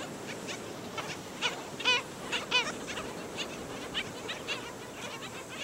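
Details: Black skimmers attacking a chick at St. Pete Beach, Florida: a continuous background of many short yapping calls, with two louder, harsh, nasal barks close together near the middle.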